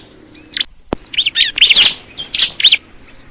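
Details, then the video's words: Short bout of bar-winged prinia song, crystal ciblek type: a thin high whistle, a sudden click, then several sharp, squeaky chirps in quick succession. "the sound of the crystal ciblek bird"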